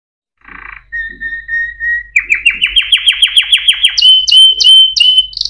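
A canary sings a bright, high song: a steady whistled note, then a fast run of rising chirps, ending in clear repeated whistles.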